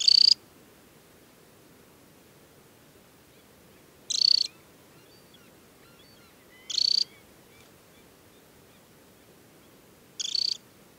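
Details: Banded adult summer Temminck's stint at Tinnhølen lake, Hardangervidda plateau, Norway, early July, giving four brief high-pitched buzzy trills spaced roughly three to four seconds apart, with a faint low hiss between.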